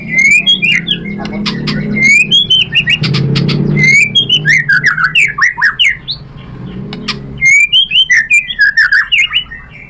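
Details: White-rumped shama song used as a lure to stir a rival: bursts of loud, rapid rising-and-falling whistled slurs in repeated phrases, with brief pauses and a steady low background rumble.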